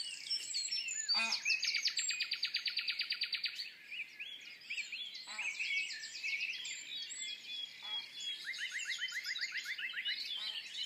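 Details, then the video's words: A Common Nightingale, unseen, sings at Woods Mill during the dawn chorus: rapid, rich song phrases with fast repeated notes and a rattling trill, set against a busy chorus of other songbirds. "Nightingale and Dawn Chorus"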